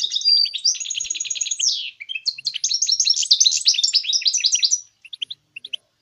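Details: A goldfinch mule in full song, meant to encourage other birds to sing: nearly five seconds of continuous loud trills, a long rattling roll and buzzy twittered phrases, trailing off into a few soft chirps.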